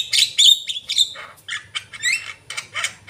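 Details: Lively Javan myna song made of short buzzy squawks and clear high whistled slurs, including a bright rising whistle, delivered in quick irregular bursts.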